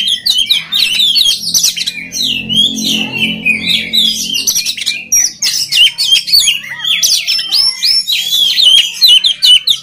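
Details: An oriental magpie-robin sings a fast medley of slurred whistles and sharp chirps without pause; a low rumbling background fades out half-way through. Used as training song for other magpie-robins.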